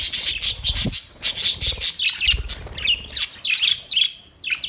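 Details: White and green parrots calling in a colourful colony, August 26, 2023: harsh screeches mixed with shorter chirping notes and quick up-and-down squeaks, several birds overlapping.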